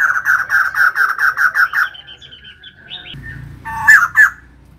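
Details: A female white-crested laughingthrush in full song: a quick run of evenly spaced harsh, nasal notes about four per second, a softer warbling passage, then two loud sharp cackling bursts over a low rumbling background.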